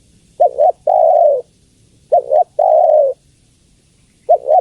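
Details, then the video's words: A female spotted dove calls the male with mellow coos: two short linked notes followed by a longer level-then-dropping coo, repeated twice, with a third phrase just starting. "Suara Tekukur Betina Memanggil Jantan"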